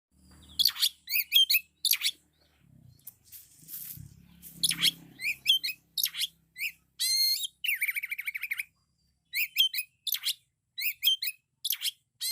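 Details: Oriental magpie-robin (kacer) in loud, full 'isian' song: rapid bright whistled and chattering phrases, many sharp downslurred notes and a buzzy trilled stretch, delivered in quick bursts with brief pauses, a soft low rumble in the middle.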